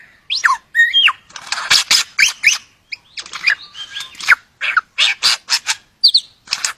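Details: Superb lyrebird, an Australian passerine, courting a mate: a dense run of loud mixed calls, sharp downslurred whistles, buzzy bursts and clicks, delivered in rapid varied phrases with short gaps.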